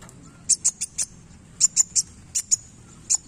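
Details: Sunbird singing vigorously while flicking its tail: thin, very high, sharp chips in short clusters of two to four, separated by brief pauses, over faint low background hum.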